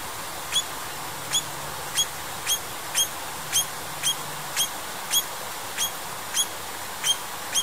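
An eastern rosella gives short, sharp, metallic notes, repeated roughly every two-thirds of a second.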